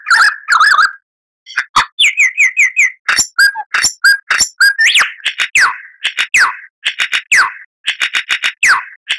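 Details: Lyrebird song played as a master for caged birds: a varied medley of warbled phrases, repeated chirping notes, sharp clicks and loud falling whistles in a fast, nearly continuous stream.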